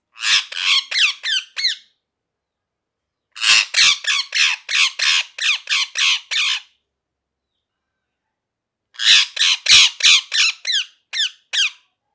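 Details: Parrot, a pet ringneck, giving loud harsh squawks in three rapid bursts of five to nine notes each, separated by pauses of a few seconds, in a quiet indoor setting.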